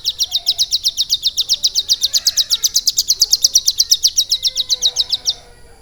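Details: Caged prinia (ciblek gunung), kept and trained for about three months to copy lovebird song, delivers a rapid, even string of high, sharp chirping notes, roughly six per second, lasting about five seconds before stopping.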